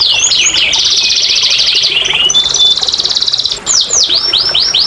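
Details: Canary song for stimulating quiet canaries to sing: a long, even rolling trill, a high steady buzz, then a set of five loud falling whistled slurs.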